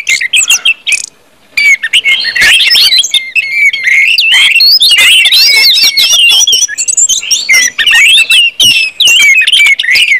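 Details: Orange-headed thrush, song meant to stimulate other birds, loud continuous warbling with squeaky whistles, harsh notes and rapid varied phrases.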